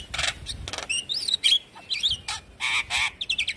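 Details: Lure song of the Javan myna meant to make a silent myna sing: harsh broadband rasps, twisting whistles, nasal wavering notes and a quick closing series of short chirps.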